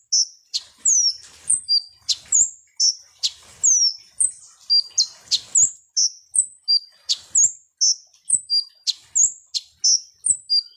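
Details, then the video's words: {'text': 'Konin or kolibri ninja sunbird song used as a lure to make birds agitated: a steady stream of sharp, high chirps and short descending whistles, repeated roughly every half second with little pause; occasional soft clicks.'} "SUARA BURUNG KONIN atau KOLIBRI NINJA || PANCINGAN KONIN BAHAN AGAR CEPAT EMOSI"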